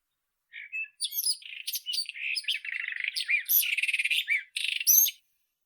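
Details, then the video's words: White-throated robin singing a rapid, scratchy warble of varied chirps, trills and sweeping high notes, running continuously for about four and a half seconds against a quiet background. "Как поёт Соловей белошейка (Irania gutturalis)"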